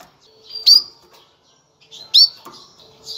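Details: Mating call of a female canary, used to ready males for breeding: two loud, quick upward chirps with brief trailing whistles, separated by about one and a half seconds of near silence.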